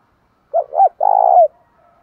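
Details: Single loud spotted dove phrase used to provoke fighting among male doves: two short arched notes, then a steady purring coo ending in a downward slur, with a faint trailing murmur.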